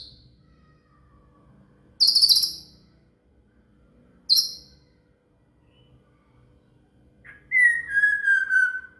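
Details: Shama (murai) song used as training material for a cililin: two short high sharp notes spaced apart, then a long clear whistle sliding slowly downward, over a faint low hum.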